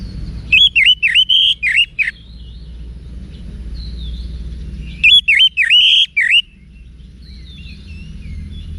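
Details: Orange-headed thrush giving wiksar-style song used to train cage birds: two bursts of loud whistled phrases, each with several swooping, dipping notes and sharp high overtones, separated by a few seconds of quiet background hum.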